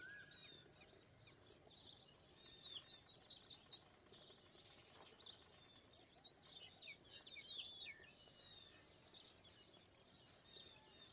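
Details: Indian pied myna with a chattering, tumbling series of high squeaky and liquid notes in bursts, several birds calling together, bright throughout with a short quieter pause near the end.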